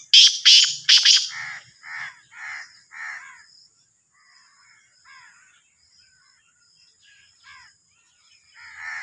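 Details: Black francolin of the Sindhi type from Sahiwal opens with three loud, grating notes in quick succession. A run of crow-like caws follows, then quieter scattered bird calls.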